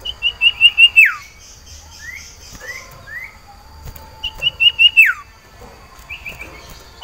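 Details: Sirtu iora in breeding condition, caged and calling for a female: short bursts of quick whistled pulses, each ending in a steep falling swoop, with softer rising chirps between phrases.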